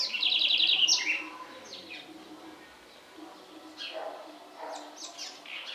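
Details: House wren singing in the Sertão of Bahia, Brazil: a bright, rapid trill of about a dozen evenly repeated high notes lasting roughly a second, then softer scattered chirps and faint calls.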